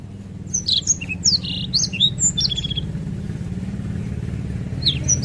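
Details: Black-throated canary (Crithagra atrogularis) sings a fast, high jumble of sweet twittering notes and trills, pausing briefly before resuming, over a steady low engine-like rumble.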